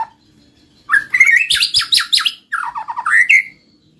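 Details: White-rumped shama song used as a lure to make silent birds sing: a rising whistle, then a loud burst of rapid buzzy, chattering notes, and a clear upslurred whistled phrase at the end.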